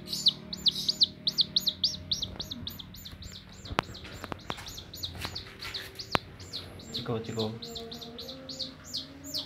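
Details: Young chicken that will not leave its carer's hand and hurries toward the fingers, peeping shrilly in quick bursts at the start and end, with sharp knocking clicks and soft handling noises in the middle.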